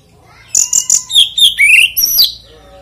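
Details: Oriental magpie-robin, called kacer, giving a short lure phrase to prompt other birds to sing: a few sharp high chips followed by a rising, warbled whistle and a falling slur.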